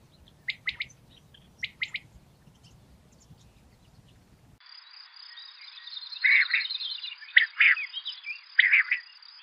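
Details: Common quail, a male calling to bring other quails together: short paired sharp notes, then after a cut, repeated quick triplet phrases over a steady high insect-like buzzing drone.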